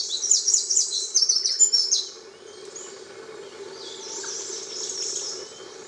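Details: A Eurasian wren on Miyake-jima at Tairo-ike pond, 22 May 2011, singing after being heard there since April: a loud, very high, rapid run of trills and chattering notes, then a softer, more distant song over a steady low hum.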